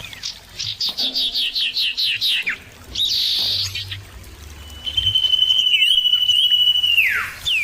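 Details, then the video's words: Common irons calling back and forth with loud, clear voices. A quick series of repeated high notes leads into a long, steady, slightly trilled whistle that ends in a steep downward slide. "pancingan burung cipoh suara jernih dan keras"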